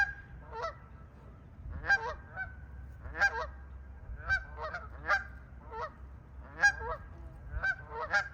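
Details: Canada geese at a marsh on the Camden East Alvar, near trumpeter swans, on a mild, windy, increasingly cloudy spring morning (29 April 2025), give loud nasal honks in irregular bursts over faint high tone and wind rumble.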